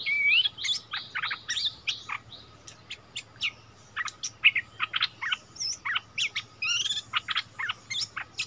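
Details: Bulbul singing in a song duel against a resident territory holder, recorded 3 February 2021 after a decoy bird was returned to its former ground; busy run of sharp, clipped chirps and short whistled notes, closely spaced and varied.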